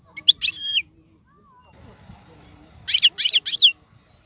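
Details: Algerian goldfinch singing serfati, tiwawti and galoubi phrases to tutor young birds: a loud ringing twitter, a quiet gap with faint low background sounds, then three rhythmic buzzy chirps.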